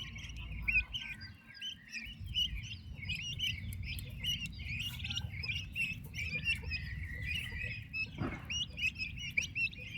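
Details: Healthy baby turkey chicks beside their mother, a dense stream of high peeps from many chicks, one brief knock or thud late on, low hum behind.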